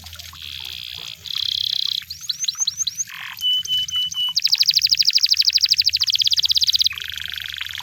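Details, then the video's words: Song of a canary in the wild, moving through tours: a steady buzzy trill, quick rising chips, a low rattle, spaced flat whistles, a long rapid roll of repeated notes, and a final buzzy trill. "The Sound of Canaries in The Wild!"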